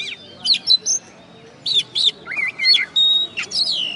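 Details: First-place contest oriental magpie-robin from West Kalimantan, caged, after the contest, gives clipped whistled notes in short groups, then curling slurred phrases and a sweeping downward whistle, loud and clear against a quiet background.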